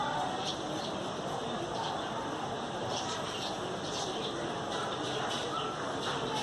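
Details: Budgerigars (Melopsittacus undulatus) during a mating dance chatter busily in a dense, warbling courtship stream dotted with sharp high chirps.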